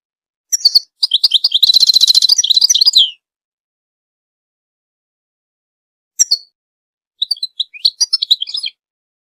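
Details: Goldfinch chirping, used to stimulate and train other birds: bright high chirps, then a fast buzzy twittering run lasting about two seconds, a pause, one short note, and a final burst of quick high twitters.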